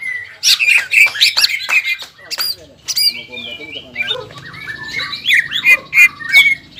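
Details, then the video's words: Caged greater green leafbird in breeding-aroused ngobra and jamtrok song: dense fast chattering notes, a brief pause with thin sliding whistles, then renewed rapid squawky chatter. "CUCAK IJO GACOR INI NGOBRA DAN JAMTROK SUARA GACORNYA BIKIN CUCAK IJO MANA PUN EMOSI"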